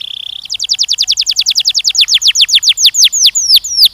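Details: Young canaries, males and females, singing during mating training: a brief high buzzy trill leads into a long, regular roll of clear down-slurred whistles, repeated about three times a second.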